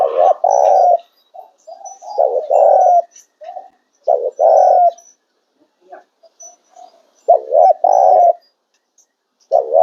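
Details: Spotted dove in the "ngiap" song style: loud, low, mellow coos with a short rising lead-in note followed by a longer hollow coo, phrases repeating every two to three seconds with softer notes between.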